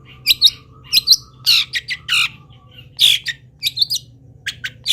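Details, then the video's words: Moulting local long-tailed shrike still singing hard, its song full of wild-bird imitations: harsh squawking notes mixed with high chirps, several per second, over a steady low electrical hum. "CENDET GACOR FULL ISIAM BURUNG LIAR"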